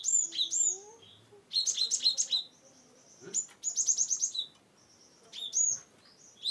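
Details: Gelatik batu (cinereous tit) song from Wonosobo, meant to prompt other birds to sing: rapid repeated high chips and hooked whistles in three main bursts, broken by quiet spells.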